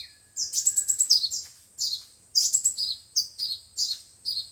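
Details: Five-colored and seven-colored sunbirds on a trapping lure recording: a faint, level whistle, then quick tinkling runs of shrill notes and evenly spaced short phrases of falling chirps.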